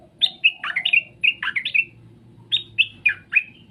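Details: Straw-headed bulbul pouring out bubbly, loud whistled phrases, clustered rapid liquid notes with downward slurs, a short pause, then another run of four bright notes; faint low hum behind.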